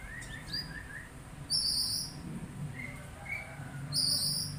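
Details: Oriental magpie-robin giving a quick series of short whistled notes, then two shrill high drawn-out squeals separated by a few softer whistles.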